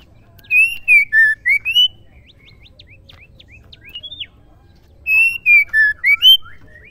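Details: Female white-rumped shama singing, a sound meant to make male shamas sing: a bright phrase of five whistled notes, rising and dipping, then a run of soft rapid chips, and the same whistled phrase repeated about four seconds later.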